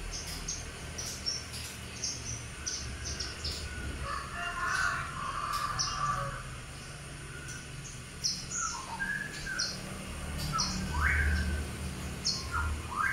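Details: Albino sooty-headed bulbul with white plumage and red eyes, singing short slurred rising whistled notes in the second half, with softer warbled phrases earlier, over steady rapid high thin chirps from other birds and low background hum.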